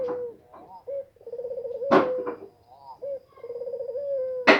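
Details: Spotted dove about to lay eggs, giving soft steady low coos in drawn-out phrases, each a sustained hum lasting about a second, broken by two loud sharp clattering noises.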